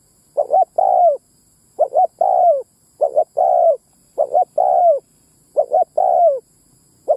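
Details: Lure call of a spotted dove, meant to draw in both males and females. Six steady phrases follow one another about every second, each a quick double note before a drawn-out, downward-sliding coo. Quiet background.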